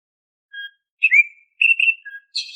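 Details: Song of an Oriental magpie-robin used as a lure for caged birds: a soft note, a downslurred whistle, paired steady whistles, a low note, then a sharp high buzzy phrase, all in quiet surroundings.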